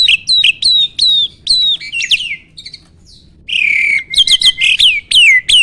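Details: Starling singing as a training recording to provoke rival song; repeated sharp falling whistles, then a short gap and a loud run of harsh, sweeping chattering notes.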